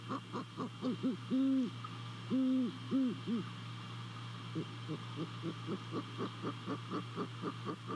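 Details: At a nest in Savannah, a great horned owl hoots around 2:40 a.m. on 28 December 2020. Rapid soft clucking notes lead into four low, even hoots, and more quick notes follow. A steady electrical hum sits underneath.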